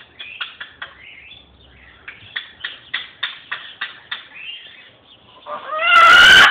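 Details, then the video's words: A pet macaw gives a run of short, raspy clucks, about three a second, then ends with a loud, harsh rising screech. "My macaw"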